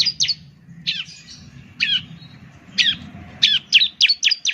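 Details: Ciblek lure song of high, slurred chirps given singly at first, then accelerating into a quick run of five notes, over a low background hum.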